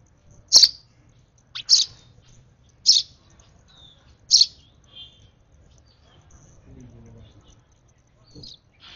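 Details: Nestling sparrow being hand-fed at its last feed gives four loud high chirps in the first five seconds, then fades to softer, scattered faint chirps.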